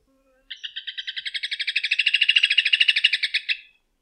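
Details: Rufous hornero (João de Barro) giving one fast series of sharp, ringing notes for about three seconds. The run starts softly, swells in loudness and then fades quickly at the end.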